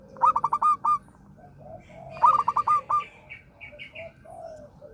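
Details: Zebra dove, an active singer used to encourage doves that have gone quiet: two rapid phrases of short resonant coos roughly two seconds apart, each closing with a slightly detached note, with faint softer calls behind.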